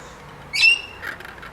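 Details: Rainbow lorikeet visiting a tray in Queensland, Australia, giving a single short, harsh, high screech, then a fainter scratchy note against a quiet background.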